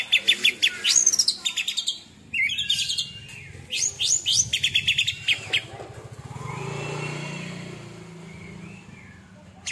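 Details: Oriental magpie-robin singing a new fiery 'tembakan' song, rapid repeated high buzzy trills and sharp rising whistles for about five seconds, then fading, with a vehicle engine rumbling underneath.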